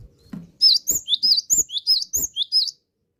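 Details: Cinereous tit (gelatik batu), a classic songbird in vigorous gacor song, delivering a fast string of about ten piercing, high whistled double notes, each sliding up and then down, for just over two seconds before falling silent.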